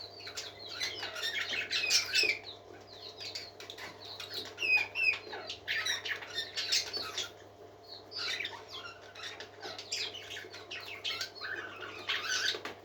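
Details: Parakeets sing in lively waves of chatter, rapid chirps, squeaks and bright whistled slides, rising and fading with brief pauses, over a constant faint hum.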